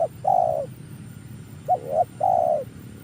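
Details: Spotted dove kept as a decoy for luring, newly trained: mellow low coos in a repeated pattern, a long drawn note, then a short clipped note and a wavering note, then another long falling coo.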